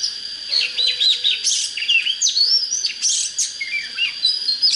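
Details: Oriental magpie-robin in full song, kept for contest training: dense, fast, varied chirps, trills and whistled slurs tumbling together with hardly a break, over a faint constant high hum.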